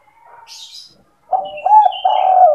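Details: Spotted dove used as a lure for trapping, sandung kuk style: a faint thin note and a brief high chirp, then a loud hollow stuttering coo rising into a drawn-out throaty phrase.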